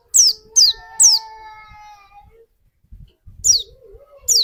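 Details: White-eye lure sounds: a few sharp, high descending notes. A steady lower whistled tone runs beneath the early notes, with a wavering tone near the end.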